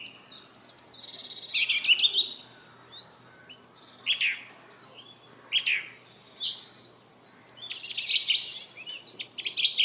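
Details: Lovebird chatter of harsh, sharp chirps and rasping squeaks in irregular bursts separated by short gaps, with some thin high whistled notes between them and a busy cluster of calls near the end.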